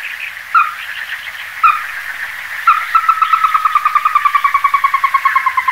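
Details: Ruddy-breasted crake giving a few spaced, sharp single notes, then a long accelerating series of clipped notes that gradually falls in pitch, over a continuous background drone of insects or frogs.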